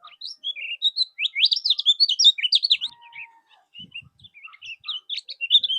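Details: Common Iora, 'mol' style tutor song meant to provoke other birds into answering: a continuous, fast stream of varied high chirps and slurred notes, loudest midway, with brief soft thumps near the end.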